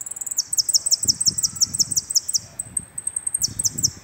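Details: Finch (jilguero) singing a full 'completo' song on 24 April around midday: very high, rapid chirped notes and sharp downward sweeps repeated about three times a second over a thin sustained whistle, with soft low thumps beneath.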